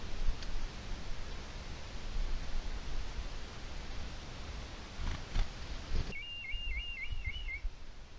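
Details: Red kite calling while perched on a feeding perch, recorded 3 January 2023 as ambient sound: after six seconds of low rumbling background noise comes one wavering, quavering whistled call lasting about a second and a half.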